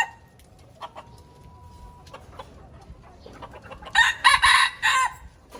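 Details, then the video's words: Red junglefowl from Aceh used as a lure: a near-silent start with a faint thin whistle, then a choppy, raspy crow in several bursts just past the midpoint. "Ayam Hutan Aceh - Pikat Super"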